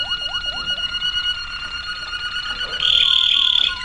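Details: Waterslager canary, 2009: repeated low slurred gurgles under held whistled tones, ending in a loud bright sustained ringing note.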